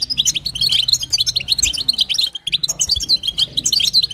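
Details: Stimulating call of a female European goldfinch toward the male: lively high chirping chatter, one brief hush just past midway, then the twitters resume, with a faint low drone.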